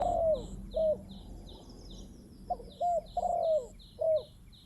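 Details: Spotted dove in a decoy-bird setting, giving short mellow cooing phrases of two to three notes, some with a long falling note, with gaps between them. A steady high insect buzz runs throughout.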